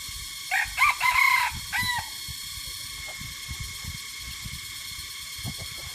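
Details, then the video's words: White and gray jungle fowl chicken crowing: one drawn-out, wavering crow lasting about a second and a half, followed by quiet background with a steady hum and faint scattered noises. "Beautiful white and gray chicken (jungle fowl)"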